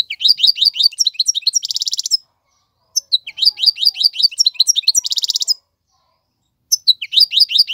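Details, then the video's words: Male European goldfinch tutoring song: runs of quick falling twitter notes ending in a rattling buzzy trill, given in three bursts separated by short pauses. "اقوى تغاريد الحسون, مقنين فحل لتعليم الفراخ"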